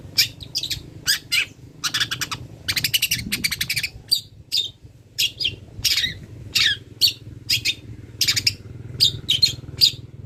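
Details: Long-tailed shrike song meant for training other songbirds: brisk rasping chatter and sharp high chirps, with clustered rapid notes early on, then spaced calls about every second against a quiet low hum.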